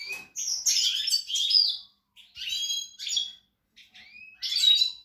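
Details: European goldfinch singing, recorded 28 March 2020, with dense liquid twitters and buzzy trills, then sparser chirps and an upward-sliding whistle before a final lively burst of jangling notes.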